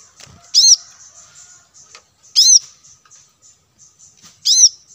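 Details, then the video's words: Plain-throated sunbird in audio for luring wild birds: three shrill, arched notes about two seconds apart over a faint steady high hiss. "suara pancingan kolibri kelapa"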